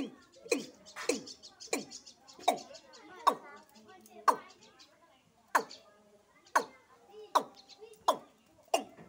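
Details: Watercock, locally called kura or kora, from Sylhet: a series of short, low, gulping notes that sweep downward, repeated roughly once or twice a second at uneven intervals in a quiet setting.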